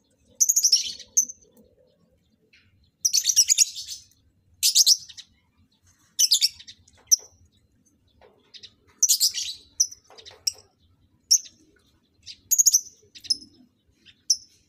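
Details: Lovebirds being paired for mating in a breeding setup; harsh, shrill chirping bursts come in clusters every one to two seconds, with scattered single squeaks between them and near silence otherwise.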